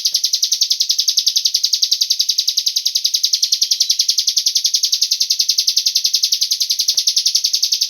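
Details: Rapid, steady high chirping of a cigun bird used as a lure to get other birds singing, continuing without break at an even pace, with occasional faint clicks.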